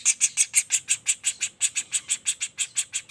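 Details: Young common flameback calling without a break: crisp, high, squeaky notes in a regular rhythm of about three per second, in a quiet setting.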